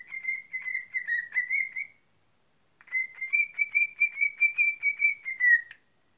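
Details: Pet cockatiel whistling two phrases of steady, slightly warbling tones with bright overtones, each phrase of rapid pulsed notes lasting about two to three seconds, separated by a short silence; no other sounds.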